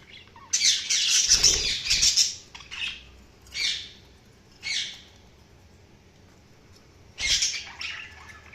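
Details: Budgerigars chirping: bursts of harsh, scratchy high chatter around the first two seconds, then separated short squawky notes at intervals, a final raspy burst near the end.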